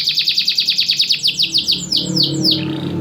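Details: Domestic canary, a champion singer kept in a cage, with a loud voice and tight pauses: a rapid series of short downslurred chips, about five per second, slowing into longer falling whistles over faint background hum.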